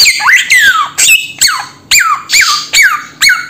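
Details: Samyong bird repeating a squeaky call about every half second: a sharp high onset that slides steeply downward into a whistled tail, eight times in quick succession.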